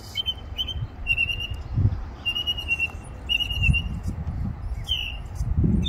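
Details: Songbird tweeting from a tree with varied sounds: steady high whistled phrases of short linked notes, spaced with pauses, and a final slurred note, over low background rumble.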